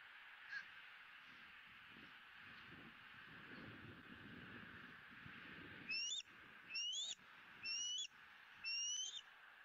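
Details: Bald eagle eaglet E9 squealing with joy as it is fed the second fish of the day on 20 April 2017, caught by the Southwest Florida eagle nest camera: four thin, high, upward-sliding squeals about one second apart over steady background hiss.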